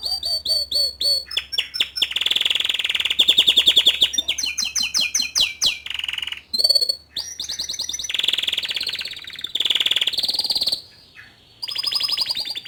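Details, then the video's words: Young male canary in full song, played to excite a juvenile into singing. Continuous rolling trills and rattles alternate with clear repeated whistles and quick chip series, shifting tone every few seconds. "Memancing Emosi Kenari Paud Dengan Kicauan Kenari Jantan Muda Agar Cepat Buka Paruh"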